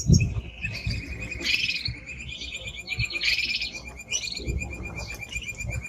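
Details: Male timbrado canary singing: a steady thin high tone runs throughout beneath rapid pulsed trills and buzzy bursts, with low thumping background noise.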